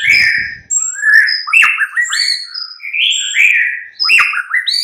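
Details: White-rumped shama in full mid-morning song, a lure track for getting a bird to respond: dense sequence of loud whistled phrases, rising and falling slurs with sharp high chips, nearly continuous.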